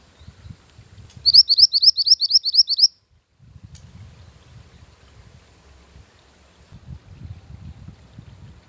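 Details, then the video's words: Mantenan gunung bird singing as a lure and training master: a rapid run of about nine high, upslurred chirps lasting under two seconds, then low background rumble and quiet. "Mantenan Gunung Pikat Gacor"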